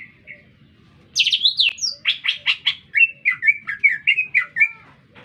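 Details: A lesser green leafbird in full, lively song amid urban surroundings, opening with high harsh trills, then a fast series of bright chirped notes and short whistled slurs, steady low rumble in the background.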